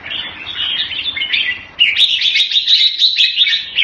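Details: Jambul, the red-whiskered bulbul of the bird hobby, warbling softly at first, then bursting into louder, higher, quickly repeated chirps and whistles.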